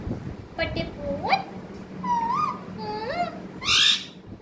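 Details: A parrot talking in short speech-like phrases: upward-sweeping tonal syllables, a rising-then-level note pair, and a loud harsh rasping burst at the end, with a constant low hum.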